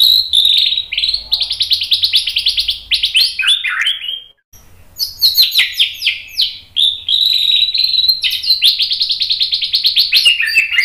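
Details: Continuous, dense white-rumped shama song meant to goad birds into singing, packed with fast trills, buzzy chatter and high chirps, broken by one brief silence midway.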